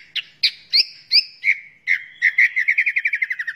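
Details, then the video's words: Captive white-rumped shama used to teach other birds, delivering spaced sharp notes that speed into a rapid descending trill of about a dozen clipped whistles. "Muray Batu Gacor Full Masteran Isian Banyak"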